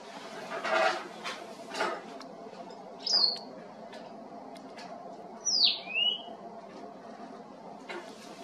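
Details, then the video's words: Cape wagtail whistling at Ogies, Mpumalanga, South Africa, recorded with a Nikon P1000 camera: two clear, high, down-slurred whistles a few seconds apart, amid broadband rustles and thumps over a steady low background rumble. "Cape Wagtail beautiful whistle"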